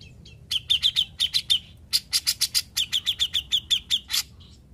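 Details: Besetan song from a grey-cheeked bulbul, known as cucak jenggot, that went from mute to active singing: clusters of bright high chirps mixed with rough chattering notes, repeated in quick groups.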